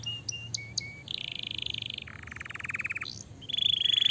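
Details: Fighter canary singing to provoke other canaries into replying: short flat whistles, then a series of buzzy rolling trills shifting between pitches, ending in a high thin trill.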